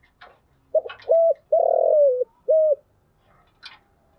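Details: Spotted dove decoy cooing in the thúc gù and gáy gọi styles for luring wild doves: a low phrase of short coo, long sliding coo, short coo, with light ticks before and after.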